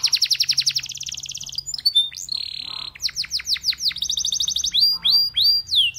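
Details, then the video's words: Belgian canary singing to prompt other canaries to sing: fast rolling trills of repeated high notes, then a steady buzzy tone, followed by downslurred sweeps and further rapid rattling trills. "Belgian Canary Invites All Canaries to Sing"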